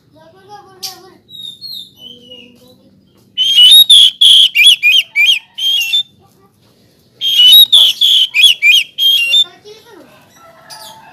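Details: Oriental magpie-robin singing: two loud bursts of strident, ringing whistled notes, about eight per burst, each lasting roughly two seconds, separated by quieter soft whistles and thin chirps in the background.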